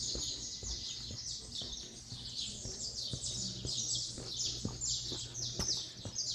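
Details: At daybreak in Resplendor, Minas Gerais, Brazil, saffron finches sing together: rapid high twittering phrases, buzzy trills and chips layered densely, repeated many times a second, over a light steady background drone.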